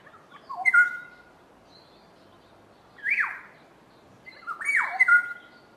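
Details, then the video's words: Two Black-headed Orioles duetting: rich liquid whistled phrases with slurred falling notes, one bird answering the other, three separated bursts over quiet background. "Black headed Oriole duet"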